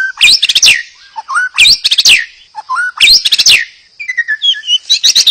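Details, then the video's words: White-rumped shama song used to provoke other birds into singing: loud bursts of sharp sweeping whistles and rapid clicking notes, separated by short pauses, with softer low whistles between phrases. "Terapi murai pancing murai agar bunyi."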